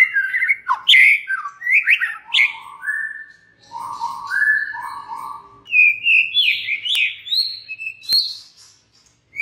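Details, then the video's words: White-rumped shama song aimed at provoking other shamas to sing: quick varied whistles, then slower low fluty notes, ending in higher rising whistled phrases before falling silent. "99% murai JENIS APAPUN pasti NYAUT EMOSI dan GACOR berkat kicau Murai batu ini"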